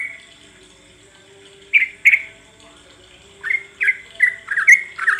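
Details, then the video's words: Sooty-headed bulbul lure sound to make birds sing: a quiet stretch, two separate loud chirps, then a quickening series of bright, slightly buzzy notes. "SUARA PANCINGAN BURUNG TRUCUK BIAR BUNYI"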